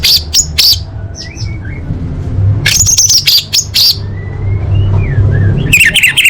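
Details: Orange-headed thrush song used as tutor audio: scattered harsh, scratchy bursts alternate with soft sliding whistles, ending in a dense burst of chattering notes, with a low droning hum throughout.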